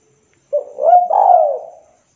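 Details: Spotted dove of local stock calling a rival, uttering a mellow two-part cooing phrase, a short low note then a longer, swelling coo that falls away gently, with nothing else audible.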